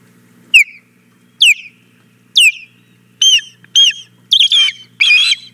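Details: Female osprey at the Hog Island Boathouse nest, 4 May 2017 around 9 a.m., begging for the fish the male has just brought. Loud whistled calls sliding downward, about seven in a row, the later ones harsher and more clustered, over a low steady hum.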